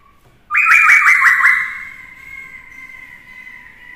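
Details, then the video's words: Trained Black-throated laughingthrush provoking rivals with many-voiced song, a female exciting it: a sudden loud trill of rapid warbling notes lasting about a second, then a long, thinning steady whistle. "Khướu mộc hót kích đấu - Khướu bạc má hót nhiều giọng hay - kèm khướu mái kích trống căng lửa"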